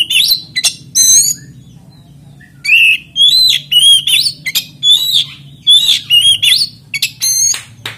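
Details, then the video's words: Magpie-robin (kacer) continuous lure song without 'ngriwik' chatter, to make other magpie-robins sing: clear whistled notes with rising tails in rapid sequences, a brief quiet gap early on, steady low hum behind. "PANCINGAN KACER NGEPLAY ANTI NGRIWIK DIJAMIN KACER LAIN IKUT GACOR"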